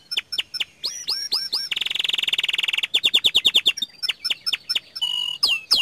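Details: Energetic song from a young canary: sharp down-swept chirps, a long dense buzzing trill, then quick repeated whistled notes and varied swoops.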